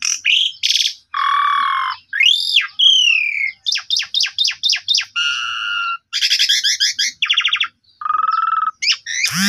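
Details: Varied Asian pied starling song played to coax a sulking starling, with short sharp notes, buzzy rattles, arching whistles, a run of about eight repeated chips, fast stuttering trills and a final harsh squawk.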